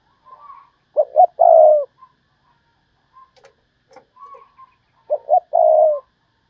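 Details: Decoy spotted dove calling 'thúc bổi' style: two short-short-long coo phrases about four seconds apart, with soft background coos and a few faint clicks between.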